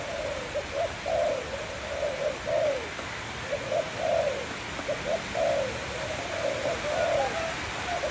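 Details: A kept Malay dove sings sweetly: bouncing, stuttered coos in repeated phrases, each a quick run of short mid-pitched notes, steady hiss behind.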